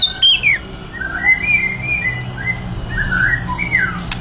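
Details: White-rumped shama prepared for a singing contest, giving clear whistled notes that slide down and rise in short phrases, over a low background hum and a sharp click near the end.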